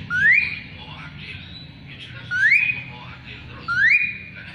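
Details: Asian pied starling singing as a tutor for magpie-robins: three upward-sweeping whistles about a second and a half apart, with background hiss.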